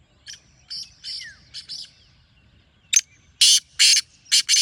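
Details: Wild black francolin calling: after a few faint chirps, a loud harsh phrase of about five grating, rasping notes in an uneven rhythm, with some small birds chirping quietly in the background.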